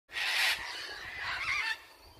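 Sulphur-crested cockatoos give harsh, grating screeches, two long raucous blasts lasting about a second each, loud and noisy across a broad range.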